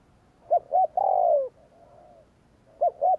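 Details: Spotted dove gù kích cooing: two quick clipped coos lead into a long falling coo, with a soft coo after it and the quick pair starting again at the end.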